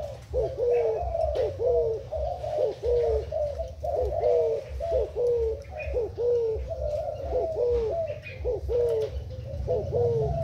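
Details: Thai decoy spotted dove, recorded 10 April 2018, cooing continuously in soft, hollow, dipping notes strung closely together, over a constant low background hum and a few faint distant chirps.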